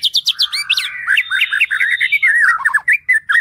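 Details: Rapid White-rumped shama song for teaching other songbirds: a quick series of high chipping notes, then a busy stream of short whistled slurs with a steady high tone held through the middle, in a quiet setting.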